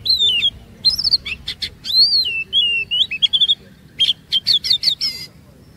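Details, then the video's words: Oriental magpie-robin lure song for coaxing other magpie-robins into long, varied singing: clear whistled slurs and sweeping notes interleaved with sharp clicking bursts, steady and loud. "EFEKTIF MEMANCING KACER NGEROL DAN BONGKAR ISIAN"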